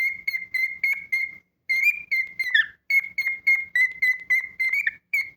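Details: Pet cockatiel whistling a steady run of short clear notes on one pitch, about three or four each second, with one brief pause and a few slurred notes.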